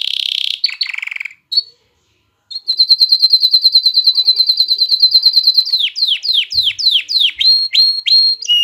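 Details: Singing canary whose song is played to rouse females for breeding and prompt chicks to sing; after mixed opening notes and a short gap, a long even high trill gives way to a series of sweeping downslurred whistles.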